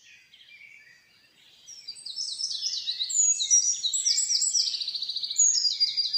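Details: Common nightingale singing in a forest: soft opening notes, then loud, varied phrases of high whistles and fast, rhythmic trilled repetitions, several pulses a second, rich and continuous toward the end.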